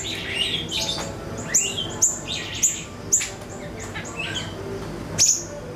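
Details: Siri-siri lure recording for training songbirds: sharp high whistled notes and quick chirps, with five or six loud downward-sweeping accents spaced roughly half a second apart, over a steady low background hiss.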